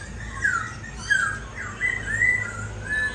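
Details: Caged laughingthrush delivering clear slurred whistles, each phrase dipping or rising, about a dozen notes in quick succession against a low hum.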